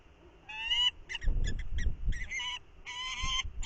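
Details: Falcons exchanging incubation duty at the nest on a windy morning, the female returning to the male. Drawn-out, wailing, harmonic calls in bursts, with gusts of wind roaring beneath.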